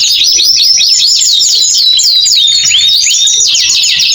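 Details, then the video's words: Canary singing continuously, meant to coax silent birds back into song after moulting: quick looping whistled phrases sliding up and down, tightly packed, with a faint low hum beneath. "Kombinasi KENARI GACOR PANJANG cocok buat TERAPI KENARI MACET BUNYI"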